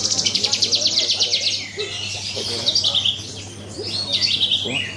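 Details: Horsfield's bush lark singing in a songbird competition, opening with a rapid rattling trill of bright high notes, then scattered sweet chirps and short warbles over a steady low hum, other contest birds faintly audible.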